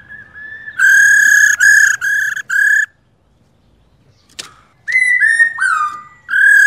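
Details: Female laughingthrush (khướu mái) calling to excite a male into song. Strong, steady, reedy notes come in four long bursts, followed by a silent gap and a click. Then come sliding, falling notes and another loud steady burst.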